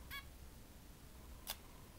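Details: A zebra finch, indoors in front of a mirror with its reflection, gives one brief, nasal, buzzy call, then a sharp click about a second later over a low indoor hum.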